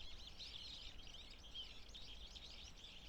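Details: Bohemian and Japanese waxwings in early April in the Shinshu area of Japan, feeding on discarded apples: a dense chorus of thin, high trilling calls overlapping continuously over a steady low rumble.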